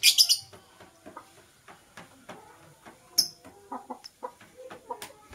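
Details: Personata lovebirds in green and blue, chirping in the morning. It opens with a loud triple burst of shrill chirps. One more sharp chirp follows later, among many soft ticks and brief low squeaks.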